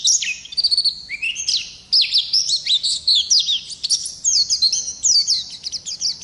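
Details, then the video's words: Oriental white-eye, a wild-type pleci ngalas, singing a long unbroken rolling song for training other birds: dense high twitters, quick rising and falling whistled slurs and buzzy trills running without break for six seconds. "Pleci Ngalas Gacor Ngerol Durasi Panjang | Masteran Pleci"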